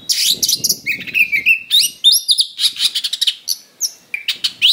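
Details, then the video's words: A rough, insistent fighting song from an Oriental magpie-robin. Rasping bursts give way to bright whistles and rapid, varied chattering phrases, about three notes per second. "Suara Pancingan Kacer Super NGOTOT Gacor Tarung Full Isian Kasar"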